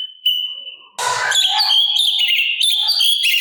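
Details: Sooty-capped babbler in a master song recording with harsh fill phrases, used to train other songbirds to copy it: a sustained high whistle, then a dense burst of fast, chattering and warbled notes.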